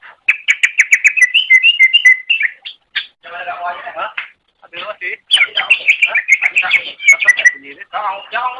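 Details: Greater green leafbird song used as a master recording for training pet birds: a rapid, varied stream of bright whistled and chattering phrases, notes tumbling in quick succession with brief pauses, some buzzy lower-pitched bursts mixed in.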